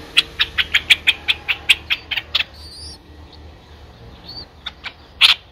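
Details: Streak-eared Bulbul nestlings, nine days old, in Ubon Ratchathani, Thailand, 11 April 2023: a rapid, steady string of about a dozen short, clicky chips, then a pause with thin whistles from other birds, and a final loud pair of chips.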